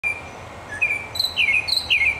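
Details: Unidentified bird singing in a palm tree: a thin steady high tone, then a few sharp, down-slurred whistled chirps in quick succession, with faint insect-like hiss behind.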